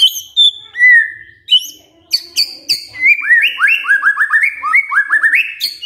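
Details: Lure song of a white-rumped shama meant to get a quiet male singing: clear whistles, a level held note, then a fast run of short rising whistled notes mixed with sharp high chips.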